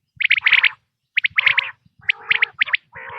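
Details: Quail sound for hunters, 2026 season: three short bursts of quick high chirps, each joined by a rough, lower gargling note, about one burst per second.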